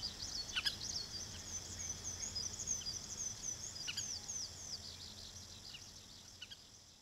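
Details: Juvenile common waxbill, an introduced escaped cage bird, recorded at a wetland by the old iron bridge in Pingtung, Taiwan; thin high chirps and short twittering notes repeat rapidly over steady background hiss, fading toward the end.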